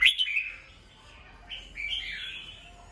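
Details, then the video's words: A caged red-whiskered bulbul sings in the morning for voice training: an abrupt bright note opens a rolling warble, followed after a short gap by a second slurred, fluty phrase. "Chào mào hót sáng, luyện giọng chào mào"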